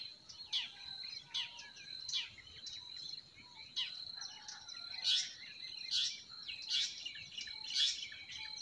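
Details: Birds of a spring forest: bright, high chirps repeated roughly once a second, with some louder bursts near the end and a constant thin, high hum underneath.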